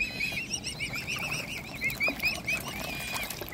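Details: Mute swan cygnets of one family, hungry and being fed by hand, give rapid, thin, high arched peeps. Several chicks overlap, producing a few notes per second, over a faint low rumble in the background.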